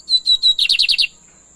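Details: Lined seedeater song: three clear, high whistled notes in even succession, then a quick run of five buzzy, slightly falling notes, all finished within about a second, with a steady thin high whine in the background.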